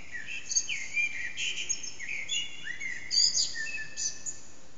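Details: Backyard Eurasian blackbird, out of sight, singing around 4:30am with strong echo, recorded on an HTC Desire: a run of varied whistled phrases, rising and falling glides, punctuated by bright high chirpy flourishes above steady hiss.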